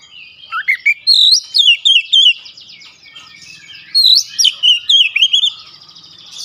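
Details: Oriental magpie-robin in fiery wide-beaked song: an upward-climbing run of whistles leading into dense, rapid looping high notes, repeated in two long phrases with a brief pause between.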